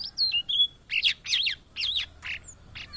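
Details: A blue-and-white flycatcher, a migrant found in Indonesia, sings loudly: short sliding whistles, then a series of rough, swooping phrases repeated about every half second, with a thin high note near the end.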